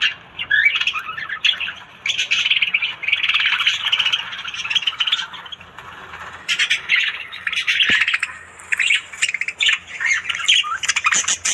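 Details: Morning chatter of Australian budgies: bursts of harsh squawks and twittering warbles in a group, broken by brief quieter gaps, with a faint low hum underneath.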